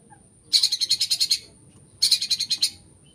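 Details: Long-tailed shrike imitating other birds: two bursts of rapid, evenly pulsed buzzy notes, about eight pulses each, separated by a short pause, over a thin steady high tone.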